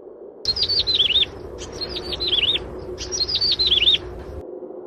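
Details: An albino Yellow-bellied Prinia (Prinia flaviventris) gives three quick phrases of high, slurred, warbling notes, each under a second long, spaced about a second and a half apart over a low background rumble.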